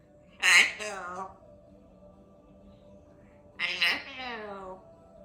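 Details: Female African grey parrot indoors practising her words, with phrases such as "I love you"; two short voice-like bursts with stacked harmonics, about three seconds apart, separated by quiet room hum.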